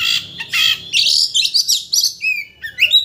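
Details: White-rumped shama singing to rouse another shama into delivering its whole repertoire; harsh raspy bursts followed by a varied run of loud whistled and slurred phrases with short pauses between them.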